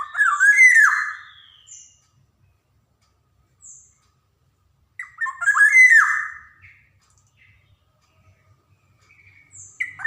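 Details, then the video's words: Javan black-naped oriole in vigorous song, recorded as a lure for young orioles: two loud liquid, slurred phrases with rough overtones about five seconds apart, with faint short notes between them. "SUARA PANCINGAN KEPODANG JAWA | kicauan kepoxang emas gacor"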